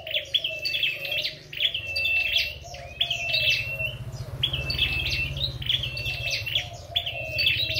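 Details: Red-headed flowerpecker in competitive song, giving rapid, thin, high chirps and short trills in quick bursts roughly every second over a faint low hum.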